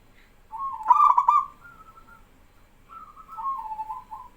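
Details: Male zebra dove in full song with doves answering: one loud, fast, bubbling trilled coo followed by a long level note and a softer, lower, wavering reply.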